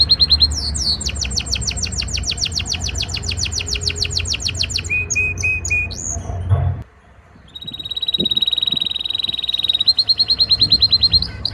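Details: Breeding-season canary trying to impress a female: long run of rapid repeated chirps, short whistled notes, a brief pause, then a sustained high rolling trill.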